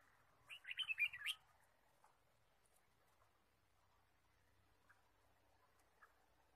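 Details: Red-whiskered bulbul chirping in a forest during bird trapping, 23 March 2017: one short burst of bright warbled notes lasting under a second, followed by near silence with a few faint ticks.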